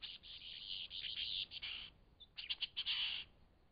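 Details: Lyrebird song in Cape Liptrap Coastal Park: dense high chattering and trilled phrases in two bursts separated by a short pause, with quick stuttering notes in between.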